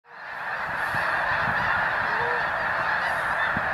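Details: A large flock of snow geese lands on spring ice after a sudden thaw while heading north. They make a dense, continuous clamor of overlapping nasal honks and yelps, several every second.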